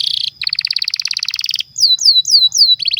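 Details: Lively canary singing a lure song for training young or silent canaries: a buzzy burst, then a rapid rolling trill, followed by four clear falling whistled slurs and a fresh trill at the end.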